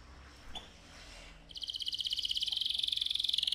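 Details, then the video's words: Loud rolling trill from an AF canary, a fast steady string of high pulsed notes lasting about two seconds, preceded by quiet background noise. "KENARI AF GACOR, NGEROL VOLUME KERAS"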